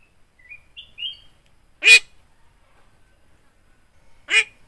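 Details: A talking Javan myna with yellow eyes, its tongue left uncut, gives soft rising whistles and then two sharp, loud, speech-like utterances roughly two and a half seconds apart, in quiet surroundings.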